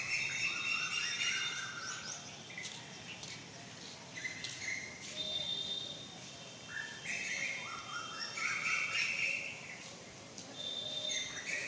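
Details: Female Asian koel calling: bursts of shrill, high whistled notes that step up and down in pitch, coming in quick runs of about four per second with short pauses between bursts, plus other faint chirps and a steady background hiss.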